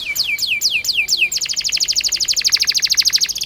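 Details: Long-singing canary, 'ngerol' rolled song meant to teach young canaries: five falling whistled notes, then an abrupt switch to a very rapid, even roll of tiny high notes, over ten per second.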